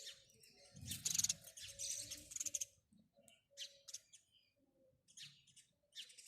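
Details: House sparrow chirping that is loud and dense at first, then breaks into short scattered chirps, over a faint low background rumble.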